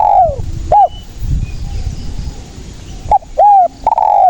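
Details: Spotted dove coos used to lure and trap wild doves and to prompt quiet ones to call: a drawn-out coo and a short note open, then a pause with low rumble, then another short-arched-long coo phrase.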